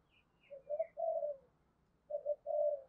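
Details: Spotted dove decoy bird cooing to incite fighting, heard quietly. Two low, rounded coo phrases stand over a background rumble, with a few faint high chirps at the start.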